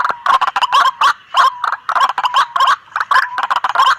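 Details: Lure recording of a noisy White-breasted waterhen; rapid sequence of harsh croaking bursts, roughly four per second, with a steady faint whistled tone running beneath.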